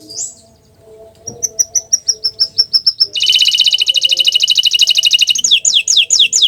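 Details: Green canary singing a row of short, level high pips, then a loud dense trill lasting over two seconds, and finally a few descending whistles.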